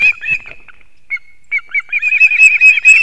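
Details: Osprey male bringing two fish to chicks at a nest in Kurzeme, Latvia, early morning, 3 September 2024; a few scattered chirps and a thin drawn whistle, then a fast accelerating series of piercing whistles.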